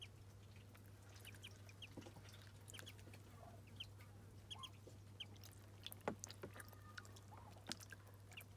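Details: Several Muscovy ducklings at their first bath keep up frequent high, short peeps in pairs, with light taps and a low background hum.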